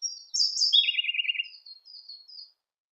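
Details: Song of a Siberian blue robin: a loud burst of high notes dropping into a lower, buzzy rattling trill, then a few soft, slurred high chirps trailing off.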